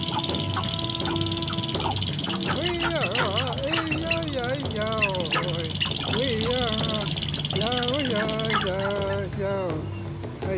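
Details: Sharp-tailed grouse on a lek in northwestern Wisconsin in spring 2024 give overlapping nasal, rising-and-falling cackles and whines in quick succession over a steady hiss, with a few faint chirps above.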